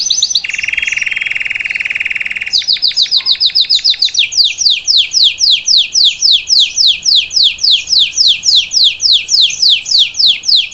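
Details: Salsa canary singing to teach its young to sing: a long steady buzzy note near two seconds, then a fast run of repeated downward-sweeping high trills, about three per second, loud and clear.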